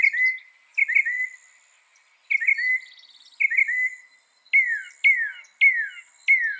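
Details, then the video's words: Northern mockingbird (Mimus polyglottos), a singer known for mimicking other birds, insects and amphibians, in full song: loud downslurred whistled notes given in pairs, then a fast run of four sharp descending notes, with faint high chatter behind. "Masteran Burung Kicau Mockingbird Gacor - Mockingbird Bird Sound"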